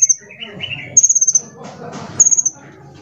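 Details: Small colourful sunbird used to prompt other birds' singing: a brief high note, a lower warbled phrase, then two short high pulsed trills a second apart against a soft low background noise.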